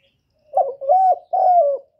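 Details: Spotted dove coos in quick succession: a short throaty note, a smooth level coo, and a long falling coo, with the start of another coo cut off at the end; clean and close.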